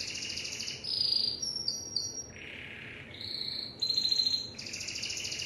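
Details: Singing Timbrado canary moving between tours: a high rolling trill, short whistled notes, a lower buzzy roll in the middle, then high metallic notes and another fast trill.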